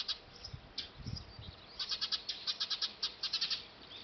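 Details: Eurasian tree sparrow at a nest built on a factory roof, recorded with a D5000 camera. A few scattered high chirps come first, then a dense run of quick, repeated bright chirps over about two seconds. Low rumbling noise sits underneath.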